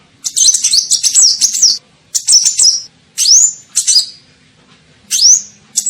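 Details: Sunbird known locally as kolibri ninja, used as a lure call to attract birds: high, thin twittering bursts with quick rising whistled sweeps, in four separated phrases over six seconds, with a faint low hum underneath.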